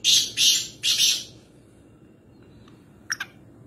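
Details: Black francolin, also called black partridge or kala teeter, near Nawabshah, Pakistan, giving high-pitched calls: three loud harsh grating bursts in the first second and a half, then quiet, with two short faint notes near the end.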